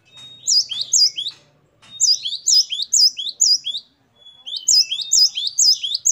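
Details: Varied, lively song of a great tit, known as gelatik batu. Sharp, bright notes repeat in short runs of three to five, with gaps between runs and a faint background buzz.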